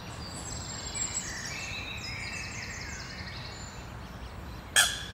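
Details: Young Eurasian coot chicks on their nest at Sloterplas, Amsterdam, give a steady chorus of thin, high peeps, several overlapping throughout, over faint background hum, with a sharp knock near the end.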